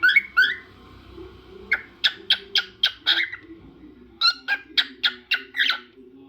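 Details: Pet cockatiel vocalizing in two bursts of sharp, harmonic chirps, fast and irregular, the second burst a run of six or seven rising notes, with a low steady hum beneath.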